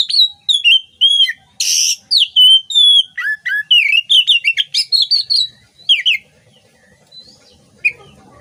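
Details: Oriental magpie-robin song for training songbirds: clear rich whistles, sweeping slurs and scratchy notes in a lively, steadily varied sequence that fades to quiet near the end.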